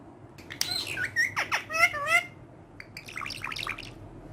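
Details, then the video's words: Green talking parrot, a pet said to speak Urdu, playing with a hand indoors. A quick jumble of squeaky, wavering, harmonic syllables runs for about three seconds, with a softer murmur at the end. "Amazing Urdu Bolne Wala Tota || Green Talking Parrot"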